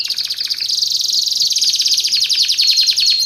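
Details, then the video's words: Canary song for training and luring: one sustained, very rapid rolling trill, high and loud, with a steady whistled tone running through it. "Suara Kicauan Burung Kenari Menggila Untuk Masteran Dan Pikat"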